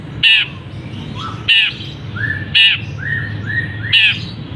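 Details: Long-tailed shrike, caged, singing hard with mimicked phrases of canary and other birds: four loud grating squawks alternating with softer whistled, slightly rising notes in between.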